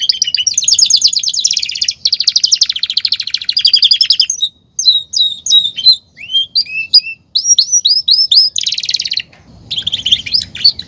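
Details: Canary song: long rapid trills and rattling tours, then a run of separate sweeping whistled notes, followed by more fast buzzy trills, with a brief low rustle near the end.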